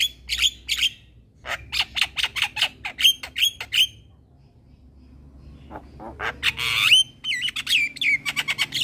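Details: Harsh chattering notes from a young male black-winged starling, a cage bird that sings eagerly and bobs its head, followed by a quiet pause and then a long rising whistle with raspy trailing phrases.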